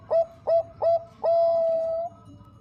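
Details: Bangkok zebra dove, a female said to be calling the male, offered as a lure to prompt singing; three quick clipped coos followed by one long, steady, drawn-out hooting note lasting nearly a second.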